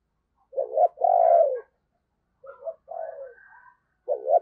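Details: Decoy spotted dove cooing in the morning to lure wild doves: low, mellow, hoarse coo phrases, a short note then a longer drawn-out one, repeated after brief gaps.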